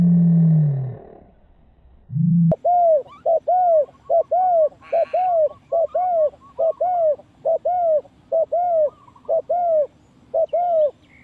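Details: Lure call of a spotted dove for trapping: after a low rumbling noise, a fast run of short, arched coo notes repeated steadily over about nine seconds, with a faint hum below.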